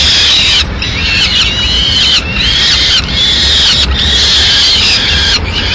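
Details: Madrid peregrine falcon, a female delivering a pigeon to the nest on 6 May 2016; repeated harsh, whining cries, each about a second long, over continuous background noise.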